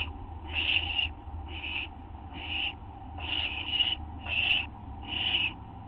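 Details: Harsh, breathy owl screeches at night on 30 August 2011, 2:16 AM, filmed on a live camera as the bird receives a treat; six noisy bursts, some in close pairs, over a constant low hum.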